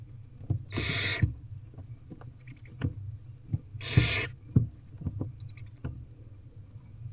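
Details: Barn owl chicks in an owl box begging at a feeding on 18 April 2023 in the evening; two loud rasping hissing calls, each under half a second, amid scratchy taps and nest movement.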